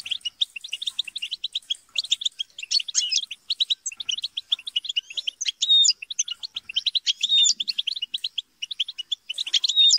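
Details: A flock of European goldfinches bickering and chattering, meant to spur a goldfinch into song; an unbroken stream of sharp metallic chirps, overlapping voices, and scattered drawn-out whistles throughout.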